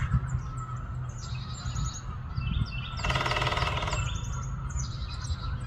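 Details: Woodpecker drumming loudly on a metal gutter to attract a mate and claim territory: one rapid, ringing, metallic burst lasting about a second midway, surrounded by many small birds chirping and twittering and a steady low wind rumble.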